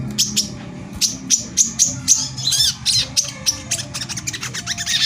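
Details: Brown-throated sunbird (kolibri kelapa) singing in the rapid 'tembakan rapat' style used to agitate other sunbirds into song; high, sharp notes come irregularly, with a brief tumbling warbled phrase in the middle and a faint low hum.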